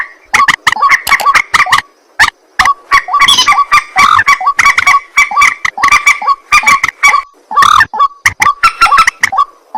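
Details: At night, a white-breasted waterhen gives a continuous stream of loud, grating, nasal notes in rapid, uneven succession with hardly any break.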